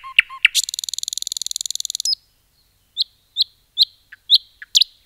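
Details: Common nightingale song in a forest: a couple of short notes, a long fast rattling buzzy trill of about two seconds, then spaced high chirps repeated roughly every half second.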